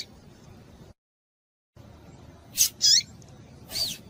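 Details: Calls of a female rusty-collared seedeater, meant to stir males into song. A pair of quick, high, squeaky notes with a falling tail is followed by a softer curved chirp after silence and faint hiss.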